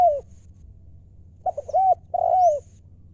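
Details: A wild-bred spotted dove decoy with a "liu"-style voice gives a falling coo, a pause, then a stuttered coo phrase ending in a long, mellow, downward-bending note. Faint low hum throughout.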